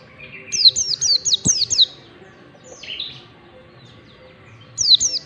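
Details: Mountain white-eye singing in the ngalas style, used to train birds: a fast run of about seven high, sharply falling whistled notes, a soft buzzy note, then two more descending whistles.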